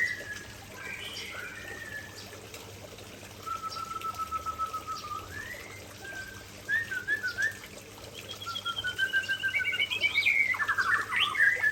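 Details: White-rumped shama, Aceh variety, spilling out its favorite fill material: long level whistles and shifting slurred notes, then a stepped phrase and a closing flourish of rising whistles and rapid buzzy trills, with steady faint ticking throughout.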